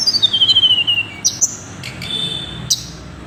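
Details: Tickell's blue flycatcher: a high, sweet whistled phrase sliding steadily downward in a smooth run of notes, followed by a few sharp isolated chips and a brief bright note near the end, over faint low background hum.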